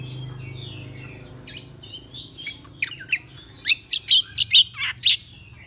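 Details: Oriental magpie-robin singing in the morning, agitated with tail spread: soft warbled phrases, then a run of six loud, sharp, rasping high notes spaced about a third of a second apart.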